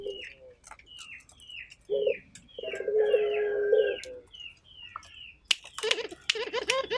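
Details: Local Barbary dove calling actively: a purring rolling coo in the middle of a busy chorus of repeated high chirps from other birds, followed by scraping and clattering noises.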